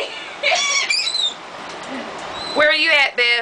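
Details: Gulls on a beach at Gulf Shores, Alabama, during feeding by people, 15 December 2007: loud rasping, downward-curving squeals come in short bursts, with a quieter murmuring gap between the calling groups.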